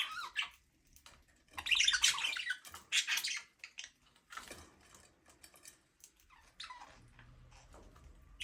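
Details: Budgerigars singing and playing in their aviary: soft, scratchy, warbling chatter in irregular bursts, with clicks and pauses between the louder passages.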